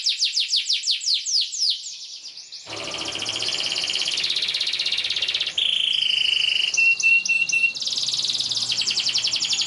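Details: Canary song used as a model for training young canaries: fast descending chirps, then a long buzzy trill, a whistled tone and short clipped notes over faint background noise.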